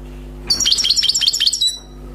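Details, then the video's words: Wild-caught European goldfinch, newly trapped, giving a flawless burst of song: just over a second of quick, bright, liquid twittering notes repeated in a fast run, over a faint constant low hum. "غناء حسون بري صيد جديد"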